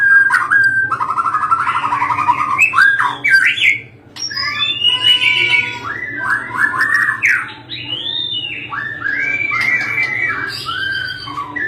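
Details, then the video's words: Fighter-type caged white-rumped shama singing loudly, with varied fluty whistles, arching slurs and warbling runs that flow almost without a break, one short pause, and a low background hum. "gantangan gacor petarung lenbut masteran burung"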